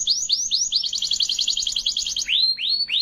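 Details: Canary singing during song training in Indonesia: sweeping rising-falling whistled notes lead into a rapid, high, rhythmic rolling trill, ending with more loud upward-swept whistles.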